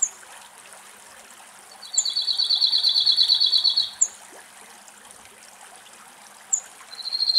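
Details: Male cirl bunting (Emberiza cirlus) singing carefree in a forest in Greece, two other cirl buntings also heard; a dry, rapid, rattling two-second trill of identical high notes on one pitch, with short high chips before and after.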